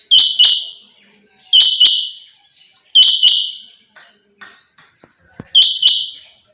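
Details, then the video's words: Calls of a female quail, chinga batair in the local name: loud clipped two-part notes repeated about every one and a half seconds. "female quail sounds chinga batair"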